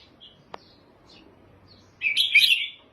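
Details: Red-whiskered bulbul giving a few faint chirps and a click before a loud, rich, bubbling warbled phrase in the final second.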